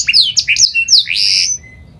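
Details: Panda canary song used as a lure to get other canaries singing: a fast run of sweeping, slurred whistled notes leaps up and down, then settles into a sustained buzzy trill before fading to a thin faint tone.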